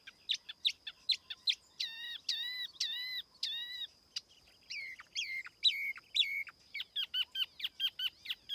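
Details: Tiểu mi laughingthrush used as a lure, quieter recording with a faint steady high hum: clipped downslurred notes, ringing slurred whistles, then rapid repeated strokes.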